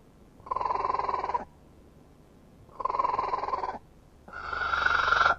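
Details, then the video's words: A kiwi in New Zealand forest, at a site silent five years earlier where the birds are returning, gives three drawn-out, reedy, harmonic notes about a second long each, roughly two seconds apart, the last higher. "Kiwi watchers capture bird song"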